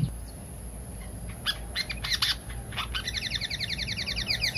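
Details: Pied fantail call played as a bird lure: a few high sharp chips, then a rapid, evenly spaced series of repeated bright notes that continues to the end, with a low background rumble.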